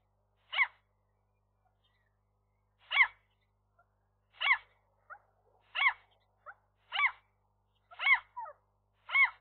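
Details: Calls from a nesting gull pair on the day their first egg arrived at midday, 3 May 2023. Short, sharp, harsh notes come one by one, roughly every second or so, with faint softer notes between them in a quiet setting.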